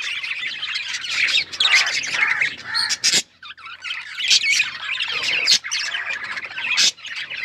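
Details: Male budgerigar, a pet, singing as a mating sound: a continuous chattering warble of scratchy squawks, clicks and chirps, broken by brief pauses near three and a half and five and a half seconds.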